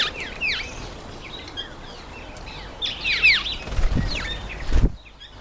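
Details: Red-faced mousebirds (Urocolius indicus) at a birdbath give a rush of thin, high, down-slurred whistles, several overlapping, with wing flutters and splashing thumps near the end.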